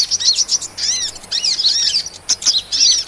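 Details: High twittering of a hummingbird used as a bird-trapping lure, quick arched chirps in bursts separated by brief dips, some lower curved notes mixed in.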